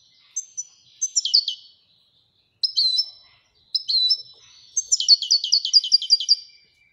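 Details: European goldfinch song: bursts of sharp, high chirps and liquid twitters separated by short pauses, ending in a rapid, evenly repeated string of tinkling notes. The surroundings are otherwise quiet.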